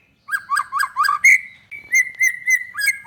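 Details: Lively white-rumped shama song, meant to make other shamas sing: four quick downward-slurred notes, then a series of steady, clear whistled notes repeated about every quarter second.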